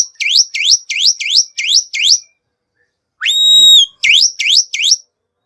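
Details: Black-winged myna whistling as a lure for other songbirds: a fast series of swooping notes that drop and rise, repeated about three times a second, then a long flat whistle and more swoops.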